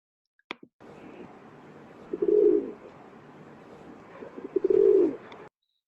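A Rock Pigeon gives two low, gurgling coos about two and a half seconds apart, each a soft rolling burble, over faint room hiss.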